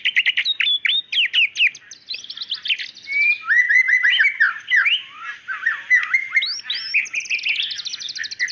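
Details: Female white-rumped shama calling the male, singing fast downward whistles, then a stretch of mixed buzzy and fluted notes, and a closing run of quick repeated chips.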